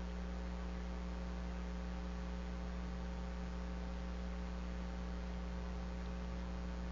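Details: Constant buzzing electrical hum fills the recording from an eagle camera on a March afternoon, without any calls.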